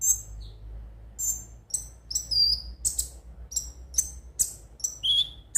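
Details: Konin (ruby-cheeked sunbird) song meant to make birds sing daily: irregular bursts of thin high chirps and ringing notes with a couple of drawn-out falling whistles; faint background hum.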